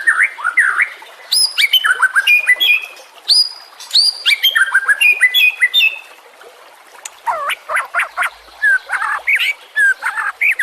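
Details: Song of a white-rumped shama, recorded as a master for training other songbirds; lively mix of high whistles, sharp chips and looping slurred notes, ending in fast repeated rising and falling phrases.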